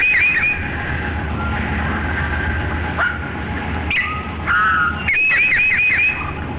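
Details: Towhee song slowed right down to reveal its detail: clear whistled notes stepping between pitches, using intervals of a fourth and a fifth, in short phrases separated by brief pauses, over a steady low hum.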